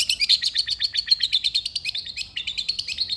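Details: Long-tailed shrike in lively, energetic song used as a track to prompt lazy shrikes to sing: a fast, unbroken chatter of high, sharp notes, about eight per second, with a clean background.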